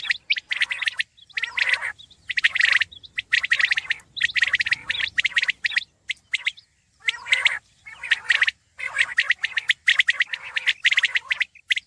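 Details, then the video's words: Common quail calling in a dense recording: bursts of sharp, chirpy, clipped notes in clusters of about half a second, separated by short silences, with overlapping repeats and no other clear sounds. "Khobsorat saaf Batair Ki Awaz| Batair ki Awaz , Batair Sound vol 33 , Common Quail Sound 2020"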